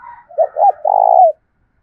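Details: Spotted dove of the thổ voice style, cooing to provoke wild doves and decoy birds: two quick rounded notes, then a long, level, throaty coo that ends with a slight downward curl. A fainter higher tone sounds at the start.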